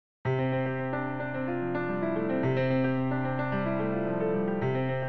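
Sustained electric piano chords shifting every second or so, with no animal sound.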